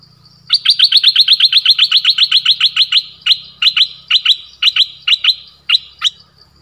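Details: Dok taeng bird used as a decoy, calling a mate in the forest on 13 January 2021: a fast, even train of about fifteen sharp, clipped chirps, then slower paired chirps, loud and clear.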